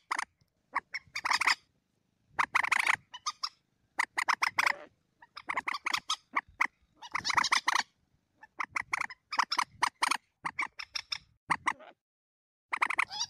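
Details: Lure recording of common moorhen: repeated groups of rough, gobbling-like clucks, each burst lasting under a second with brief pauses between, continuing steadily throughout.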